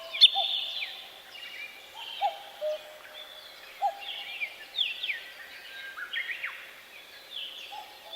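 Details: Several forest birds sing at once: high trills and down-slurred whistles in scattered bursts. Lower, steady whistled notes repeat in the background, with faint ambient hiss.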